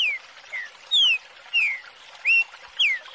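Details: Double-collared seedeater chick call meant to stimulate an adult: clear whistled notes that slide downward, one roughly every half second, with one note that rises instead.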